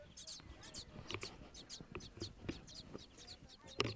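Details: Sparrow nestlings a few days old, eyes still closed, begging for food when a hand moves above the nest as if a parent had arrived: quick high thin chirps in bursts, with soft low murmuring beneath.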